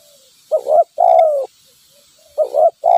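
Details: Spotted dove, a wild bird lured by a decoy during trapping, gives hollow mellow coos. A quick doubled note leads into a drawn-out descending coo, repeated twice over a faint background hiss.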